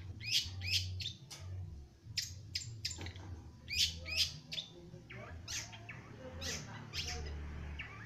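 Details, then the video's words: Young long-tailed shrike starting to sing, giving sharp, scratchy chirps in irregular bursts, some paired, separated by short pauses, with a constant low droning hum behind. "Cendet muda mulai bocor"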